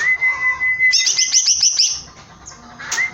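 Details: Short burst from a caged greater green leafbird in full song: a thin steady whistle, then a fast series of about seven high, sharply repeated chirps, ending with a brief rising note.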